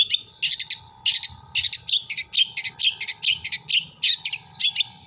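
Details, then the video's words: Jember long-tailed shrike singing mimicked material of kuntilanak, gereja and tengkek buto: dense, fast bursts of bright, scratchy high chirps and trills with almost no pauses, a constant faint tonal hum behind. "CENDET MATERI KUNTILANAK GEREJA TENGKEK BUTO ASLI JEMBER"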